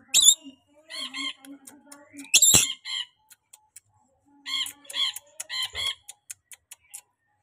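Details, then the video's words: Very tame, highly vocal rainbow lorikeet gives two harsh, shrill screeches and bursts of short, nasal chattering notes in quick pairs and triplets, some almost speech-like. "BURUNG NURI PELANGI JINAK BANGET LUCU GACOR"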